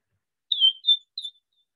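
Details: Wing-snapping cisticola calling: three short, high, thin whistled notes, the first sliding downward, the next two level and slightly separated, given within about one second.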